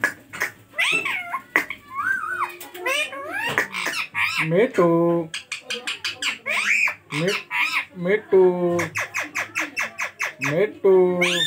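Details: Indoor rose-ringed parakeet, a ringneck shown talking and dancing in Hindi, chatters continuously: mimicked speech-like syllables mixed with bent squawks and dense trains of rapid clipped notes, with occasional human voice in the room.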